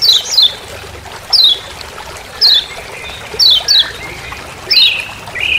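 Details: Lemon-bellied white-eye from Lombok in forest, "ciak ciak" master call: bright high notes sliding downward, single or doubled, at about one per second, ending with a lower rising whistle.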